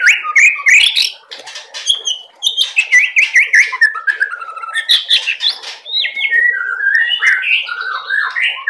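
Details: Juvenile white-rumped shama delivering a loud, dense song with cerucuk mimicry woven in: a continuous run of rich whistles, rising and falling slurs and chattering notes without a break.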